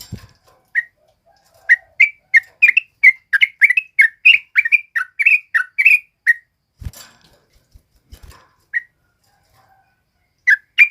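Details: Male sooty-headed bulbul, recorded as a tutor for other birds, sings a quick burst of chirpy whistled notes lasting several seconds, then falls mostly quiet apart from a few isolated notes and soft knocks.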